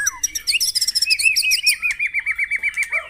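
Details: A white-rumped shama sings in a morning session meant to set caged birds singing: a downslurred whistle, a quick high chatter, then a steady string of looping whistled notes, about six a second.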